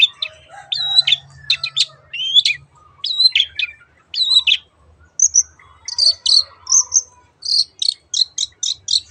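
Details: Cendet, or long-tailed shrike, in 'teot teot' song meant to coax other birds into singing: slurred, swooping whistles at first, then sharp high chips and a rapid ticking series toward the end.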